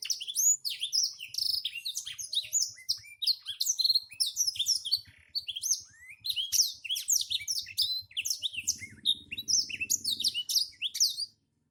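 A Black-throated Canary sings a fast, unbroken run of high twittering trills and chirps. A faint low hum is heard near the end.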